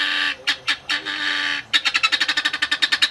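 Helmeted guineafowl flock calling: harsh, rattling chatter with a dense burst, then a fast run of about fifteen grating notes, several each second.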